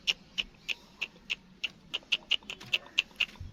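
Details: Captive newborn black francolin chicks give a steady run of about fifteen bright, high, clipped peeps, evenly spaced at three to four per second, against faint low background hum.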